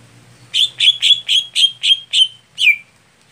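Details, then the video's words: Greater green leafbird, a special setting for a contest bird that is slow to get going. Seven rapid buzzy chirps repeat steadily, then one final note falls in pitch after a brief gap. "Setting Khusus Cucak Hijau Saat Lomba Lamban Panas / Telat Kerja"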